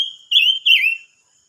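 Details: Silver-eared mesia whistling two bright, sustained notes in close succession, the second dipping lower at its end, after a brief trailing tone; no other sounds.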